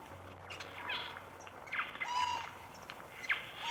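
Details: Eurasian jay in Ukraine gives harsh, rasping screeches in short bursts about every second, with a clear whistled note from another bird and a faint low hum.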